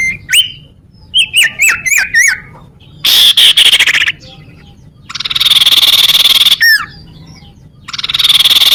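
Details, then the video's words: Sunbird song used to lure birds and make rivals sing: a rapid series of hooked chirps, then a buzzy trill, a pause, a longer even trill ending in a looping down-slurred whistle, and a final trill. "suara burung sirtu cipow"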